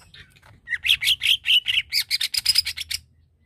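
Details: Provocative song of a greater green leafbird, used to rouse other leafbirds' aggression: a fast string of about fifteen scratchy, buzzy chirps running together over roughly two seconds.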